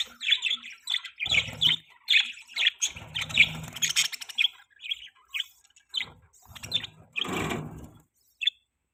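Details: Budgerigars kept as pets chirp in short squawky bursts and scattered tweets, rising and falling across nine seconds, with a low hum under the louder bouts and a brief lull near the end.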